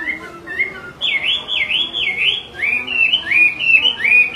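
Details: Repeated calling by a female Chinese hwamei, used to rouse a male into singing: two short whistles, then a rapid series of loud looping, wavy whistled notes, each rising and dipping, about one to two per second.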